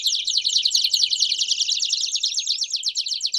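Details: Several Belgian canaries singing at once: a dense, high, buzzy trill of rapid repeated notes, with a thin rising whistle cutting through near the end.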